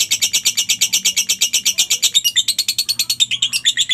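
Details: Ngekek-style lovebird song serving as masteran for other lovebirds, a steady run of sharp high buzzy pulses about three per second that shifts into a more warbled, squeaky chatter halfway through.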